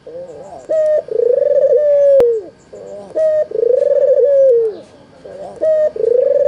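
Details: White red-eyed albino Barbary dove calling as a lure for silent doves: brief sharp upper notes alternate with long vibrating coos that sag and fall away, three phrases, with a single click midway.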